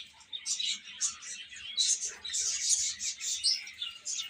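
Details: Baby chickens at play and feeding peep shrilly, quick high chirps in pulsing groups that grow busier and louder midway through.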